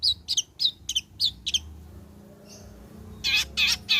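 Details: Long-tailed shrike, presented as a lure recording to make the bird sing after moulting: a run of six sharp, harsh chattering notes about three per second, a short pause, then three louder rasping bursts.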